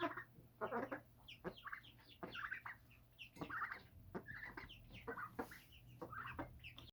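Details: A rooftop flock of birds kept at home gives busy, clipped chirps and clucking notes in rapid irregular bursts, many voices overlapping, over a faint hum.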